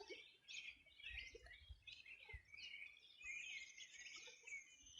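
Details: Birds on a summer morning in 2020 along the Rio Bueno riverbank in Los Ríos Region; dense overlapping chirps and twittering trills from several birds, a continuous high warble in the second half, faint low thumps.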